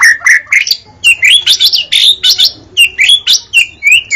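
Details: Caged White-rumped shama singing a rich, varied song of rapid whistled phrases, rising and falling slurs and sharp chips, delivered in quick bursts with brief pauses.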